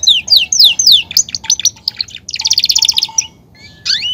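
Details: Caged male Belgian canary song used to get other canaries singing. Sweeping downslurred whistles open it, followed by clipped notes, a dense buzzy trill and a few thin rising whistles.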